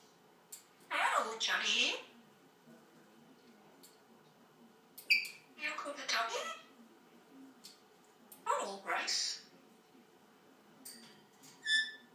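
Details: African grey parrot talking indoors: three short, speech-like phrases separated by quiet pauses, with brief high chirps near the end.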